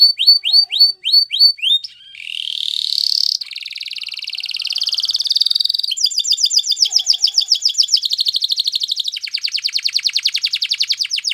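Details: Yellow canary singing: quick series of rising whistled notes, then a buzzy sliding phrase and long rapid rolling trills of pulses repeated several times per second, changing tour every two to three seconds.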